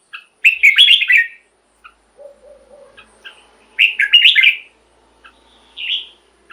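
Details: Caged red-whiskered bulbul singing, played to excite caged birds: two bright, warbled, whistled phrases about a second long, separated by a soft low note, then a short clear whistle near the end.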